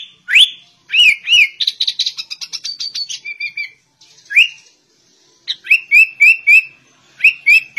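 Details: Imitating the white-rumped shama, a sooty-headed bulbul delivers rising whistles, a fast buzzy rattling run, then after a short gap several evenly spaced slurred whistled notes with sharp clicky attacks.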